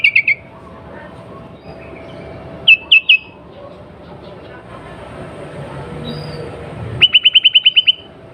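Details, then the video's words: Breeding female sooty-headed bulbul calls to stir males into song, giving brief bursts of sharp, clipped notes: a short cluster at the start, a pair near three seconds, then a rapid rattling series of about eight notes near the end, with quiet gaps between. "SUARA KUTILANG BETINA BIRAHI 100 % TERBUKTI BIKIN KUTILANG JANTAN CEPAT BUNYI GACOR"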